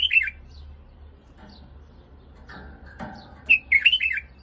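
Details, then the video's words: Iraqi White-eared bulbul tutoring song: the tail of one warbled phrase opens, followed by quiet with a few soft clicks and chips, then a full quick phrase of liquid rising and falling notes, over a low hum. "تغريد بلبل 🐦هملاية 🫶🏻تخريج على 🌺بلبل عراقي 🌹أبيض الخدين"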